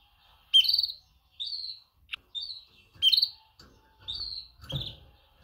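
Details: Female canary chirping to call males during mating. Short, bright, slightly downslurred chirps, often in pairs, repeat roughly every second, with a soft tick between some notes.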